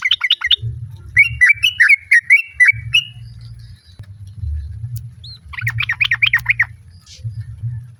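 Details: Female sooty-headed bulbul calling a male, answered by other birds: rapid chattering, then a series of bubbly liquid phrases repeated about every half second, later another quick chattering burst, with low hum throughout.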